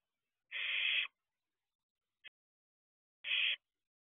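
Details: Barn owl owlet at a nest box, 4:31 am on 2 June 2023, looking around outside. Two long, harsh, broadband hissing screeches about half a second each, with a brief faint tick between them, otherwise silent.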